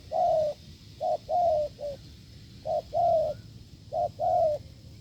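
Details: Spotted dove from the fields cooing strongly near a decoy setup: a string of mellow, low coos in short-long pairs, about four phrases in quick succession, with steady background hum.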